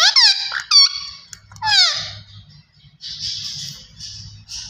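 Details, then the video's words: Green ringneck parakeet talking: squeaky, speech-like syllables with bright stacked sweeping harmonics in several quick bursts, then hissy breathy phrases, over a faint low hum. "Gareen Ringneck Perrot Talking Vice Always Superb"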